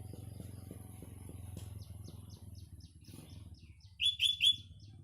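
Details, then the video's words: Sooty-headed bulbul singing in a green natural setting in the morning: a loud burst of three quick ringing chirps near the end, over a steady low hum and a series of faint, regular ticking chirps. "burung kutilang berkicau"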